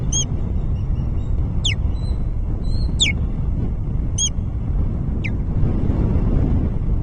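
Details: At an osprey nest recorded by camera near Alyth substation, 30 July 2024, sharp high whistles and downslurred chirps come in loose bursts over seven seconds, set against a continuous loud low rumble.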